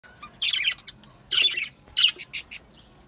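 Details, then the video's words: Budgerigar chatter: three loud bursts of buzzy, scratchy warbling about half a second each, separated by brief pauses, followed by short sharp chirps at the end. "Beautiful Australian Parrots Beautiful Australian Birds Beautiful Singing Birds"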